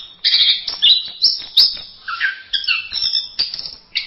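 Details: Lively masteran-style song of an orange-headed thrush: bursts of bright chirping and squeaky notes, a lower warbled phrase midway, then more quick high phrases.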